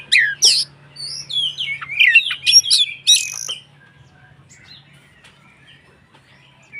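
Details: White-rumped shama in loud form, singing to provoke rival shamas into song; a three-second burst of ringing whistles and harsh chips, then near silence with only faint notes.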